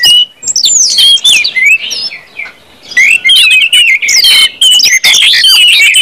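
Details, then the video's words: Orange-headed thrush 'ngeplong' song, played to set other birds singing: sweeping high whistles and rich warbled phrases in quick succession, a short lull near the middle, then dense continuous trilled and slurred notes. "KUMPULAN ANIS MERAH NGEPLONG BIKIN CEPAT BUNYI DAN GACOR ANIS MERAH"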